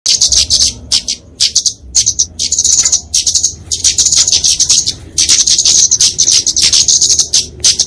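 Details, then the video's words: Flowerpecker (kemade, genus Dicaeum) fighting song, used to train songbirds and lure small birds: dense, very high, thin ticking trills in bursts of about half a second to a second, separated by short gaps. "Kicauan Kemade Tarung"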